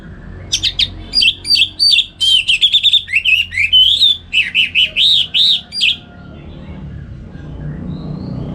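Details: An orange-headed thrush, anis merah, kept at home in Singaraja, North Bali, gives a vigorous ngeplong morning song used as a master for other songbirds: over five seconds of varied looping whistles, trills and repeated arched notes, then silence.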